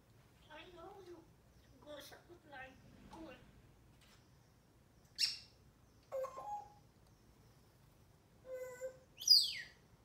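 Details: A grey parrot says "Good morning" in a human-sounding voice with a few short speech-like phrases, then breaks into sharp, high whistles and squeaky rising calls in a quiet room.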